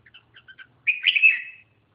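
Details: Red-whiskered bulbul giving a short phrase: a few faint soft notes, then one loud warbled, slightly buzzy whistle lasting under a second.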